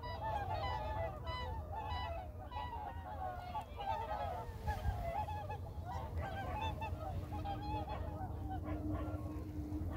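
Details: A flock of whooper swans on a reservoir moving forward gives a constant overlapping chorus of loud, bugling honks, with a deep rumble of wind or water underneath.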